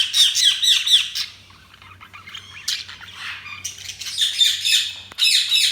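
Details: Pet budgies give quick scratchy chirps, then softer mixed chatter, then another bright burst of rasping notes and a sudden loud squawk near the end.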